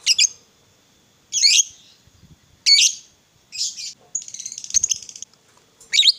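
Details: Fighter lovebird whose song is played to trigger other lovebirds: harsh, sweeping chirps about every 1.3 seconds, broken by a short rapid chattering trill near the end.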